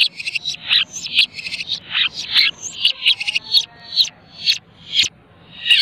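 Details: Long-tailed shrike, a caged pet hand-raised from a chick, tutored with mp3 recordings and fed insects morning and evening, singing constantly in a dense, packed style full of mimicked fills: harsh, buzzy, chattering notes pulsing about twice a second, loud and close.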